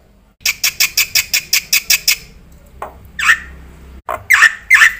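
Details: Black-winged myna, a lively singing bird full of fill-ins. A string of nine rasping, even notes is followed by scattered harsh squawks with whistled edges.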